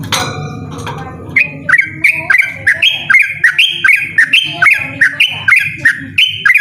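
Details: Trucukan, the yellow-vented bulbul, in loud and insistent ropel song. A brief noisy clatter comes first, then a rapid, steady string of bubbly, warbled notes that swoop up and down, with low background rumble.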